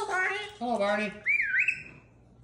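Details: Pet cockatoo indoors laughing and having a great time; a burst of harmonic, voice-like laughter falling in pitch, followed by a rising and wavering whistled squawk, in a small room.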